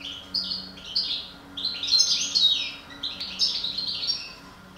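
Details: Continuous rapid goldfinch song from a breeding pair of the parva subspecies: jangling, liquid twitters and short trills running together without pause, with a low steady hum behind.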